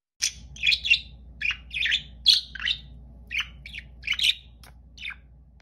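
A budgerigar gives a run of short, crisp chirrups, a contact call meaning all is well.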